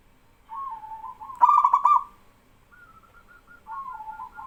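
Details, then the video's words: Male local zebra dove in full song that draws replies from other doves: a soft coo, a loud burst of rapid trilled cooing, then quieter answering coos with slight pauses. "BURUNG PERKUTUT LOKAL JANTAN GACOR BIKIN PERKUTUT BAHAN IKUTAN BERSUARA"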